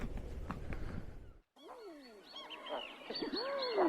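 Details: Several male and female common eiders in a small Cape Cod harbour at low tide on an icy autumn morning near 30°F give soft, overlapping cooing calls that swoop up and fall away, after a brief burst of wind noise.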